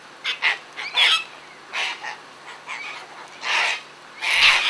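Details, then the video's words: Sulphur-crested cockatoos, several parrots out feeding in a frenzy, give harsh, broadband screeching squawks in short bursts, separated by brief pauses, with a last loud screech at the end. "Sulphur Crested Cockatoos Playing"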